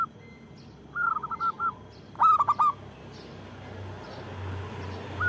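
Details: Local zebra dove, used to get lazy doves singing. A soft phrase of rounded coos is followed by a sharper burst of four throaty pulses. The rest is quiet, with some low background rumble.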